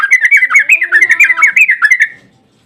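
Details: Bulbul's long, rapid song, used as a lure to provoke other bulbuls into singing: a fast, bubbly run of warbled, chattering notes lasting about two seconds, then silence.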